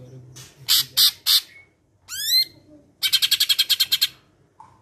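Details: Medan cucak ijo performing a training song filled with imitations of other birds such as sparrows; harsh squawky bursts, a rising swept whistle, then a rapid buzzing rattle of about eleven pulses.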